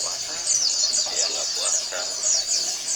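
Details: Several Oriental white-eyes in a colony chorus meant to prompt quiet males to sing; clear, high, down-slurred chirps repeat rapidly over a constant shimmering twitter.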